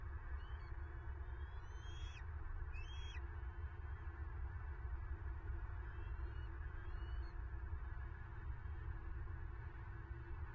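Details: Florida bald eagle at its nest, filmed by a nest cam on 9 March 2023 while a female seizes prey from M15. Several high, rising squeals come early, then fainter thin notes fade under a persistent low roar of wind.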